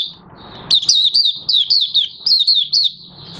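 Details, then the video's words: Moulted Oriental white-eye, white plumage nearly coloured again, singing on 30 August 2022; one lively phrase of about eight high, downward-slurred chirps in rapid succession over soft low background sound. "Mata Puteh Raja Buka Sing"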